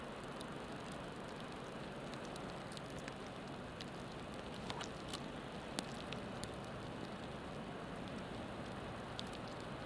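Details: Soft continuous hiss with scattered irregular taps and crackles, like rain pattering on a surface.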